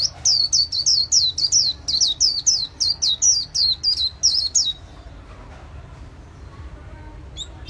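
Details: Long, fast burst of high, bright descending chirps from an artisan's white-eye in the líu xòe song style, lasting almost five seconds before falling quiet apart from a faint note.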